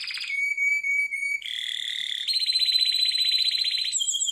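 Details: Harz Roller canary singing a training song: steady pure whistled tones, then a buzzy fast roll, followed by a long quick trill that ends on a brief higher tone.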